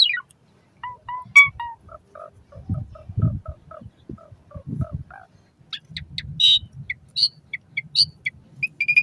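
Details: Asian pied starling song for training caged birds, played morning and evening: a varied run of short whistled notes, soft low phrases and sharp high squeaks, with a faint low rumble underneath.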